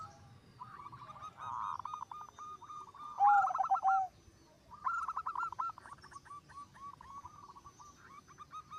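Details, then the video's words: Zebra doves singing continuously, one bird stirring the rest into song: long strings of rapid soft coo notes, a louder burst with a low sustained coo midway, and overlapping singers throughout. "Suara Perkutut Gacor Suara nya bikin Burung Perkutut Lain Ikut BUNYI"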